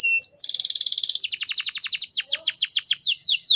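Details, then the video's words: Female Atlantic canary heard as a male-provoking call: brief whistle, then a fast dense rattle of high notes flowing into repeated steep downward sweeps, about a dozen in a row, crisp and loud. "PANCINGAN KENARI BAHAN AGAR CEPAT BUNYI"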